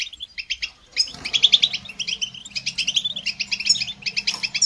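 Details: Goldfinch singing a fast, tinkling twitter of short high notes, starting with a few spaced chirps and then running into bright, jangling phrases with buzzy notes mixed in, with a faint low hum underneath.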